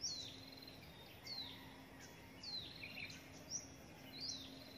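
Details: Hill prinia chick begging while a parent brings food, including a gecko and a grasshopper; the chick nearly died. High, thin descending whistled notes about every second, four in all, over faint steady background noise.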